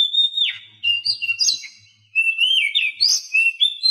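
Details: Tutor song of the Oriental magpie-robin, packed with mimicked 'isian' material, meant for caged birds that stay silent or are learning to twitter. A rich, unbroken whistled warble, broken by sharp upward sweeps and one short gap.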